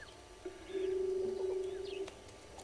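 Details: Early on 15 April 2022, red-billed hornbills near Gowrie dam in South Africa's Sabi Sand Wildtuin utter a steady stream of rapid low clucks for about one and a half seconds, with a few high whistled notes overhead.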